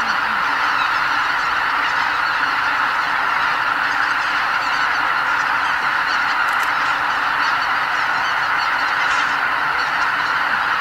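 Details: At Lake Miyajimanuma in Bibai, Hokkaido, around 80,000 migrating greater white-fronted geese set off before sunrise to feed on nearby farmland; continuous massed honking fills the air throughout.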